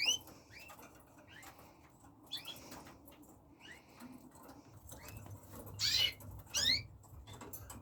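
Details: Red factor canaries give scattered short upswept chirps with bright harmonics, some paired, spaced irregularly about a second apart, ending in two louder rising notes, over faint rustling and soft clicks.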